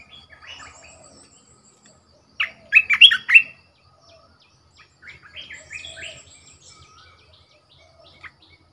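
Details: Red-whiskered bulbul used as a caged decoy bird gives a loud phrase of warbled, slurred whistles, then a quieter rambling stretch of short notes and a final brief chirp.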